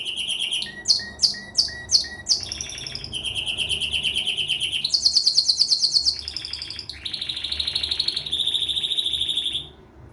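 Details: Pleasant canary song made of varied phrases: a few sharp separated chirps, then fast rolling trills changing pitch, a higher rapid tour, and steady bright trills ending abruptly; a single bird sings clearly without background noise.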